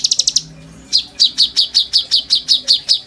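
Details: Caged oriental magpie-robin in full song, kept as a tutor for white-rumped shamas, in the bowing style: a fast run of high chirps, then steady loud sharp whistled notes repeated about every fifth of a second.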